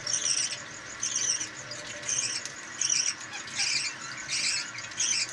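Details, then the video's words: Captive budgerigars, parents with five chicks during feeding: rasping, noisy chatter in regular bursts about a second apart, each burst coarse and grating, over a steady low background hum. "Budgies Bird Feeding"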